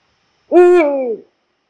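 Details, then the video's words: Eurasian eagle-owl (Bubo bubo) in Poland gives one deep, hoarse hoot lasting under a second, holding steady and then sliding downward at the end, with no other sounds around it. "Odgłosy puchacza - głos sowy"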